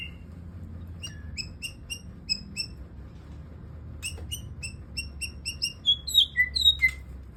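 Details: Parent white-rumped shama in song after its moult: a varied run of short clear whistled notes with ringing overtones, some sliding down, several quick bursts and a few sharper chips, over a soft low background hum.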